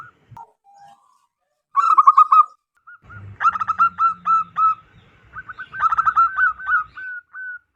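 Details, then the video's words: Local wild zebra dove with a loud voice, used to lure wild zebra doves: a few scattered soft notes, then vigorous runs of rapid hooked coos, ending in longer drawn-out notes, with faint low background rumble. "PERKUTUT LOKAL ALAM GACOR SUARA BESAR DAN LANTANG COCOK BUAT PIKAT BURUNG PERKUTUT"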